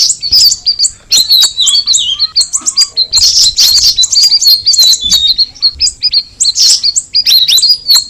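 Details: Straw-headed bulbul in energetic high twittering song, made of quick chirps and sharp notes in bursts separated by brief gaps, with a few louder buzzy clusters.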